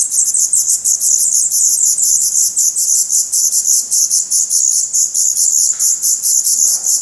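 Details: Nest of black redstart chicks in Portugal, May 2020, parents feeding worms, spiders and grasshoppers: a constant, piercing, very high-pitched chatter of fast, overlapping pulses fills the whole stretch.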